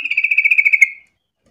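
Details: Yellow-vented bulbul lure phrase meant to prompt others to answer: a second-long stream of quick, bubbling pulsed notes at a steady pitch, ending abruptly in silence.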